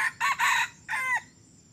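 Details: A young red junglefowl male, just three weeks into crowing and kept as a decoy, gives one brief, hoarse crow: three quick harsh syllables, the last drawn out and falling, over soft hiss.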